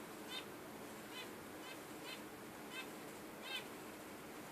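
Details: Caged budgerigars, pet birds; a series of short, rapid warbled chirps repeated roughly every half second to second over a steady hiss of background noise.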